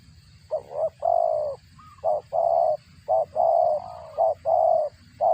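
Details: Spotted dove calling while feeding its chicks, its voice likened to a cricket: loud grouped coos, with short paired notes leading into long, slightly falling hoots, about three phrases in five seconds, with a faint low rumble behind.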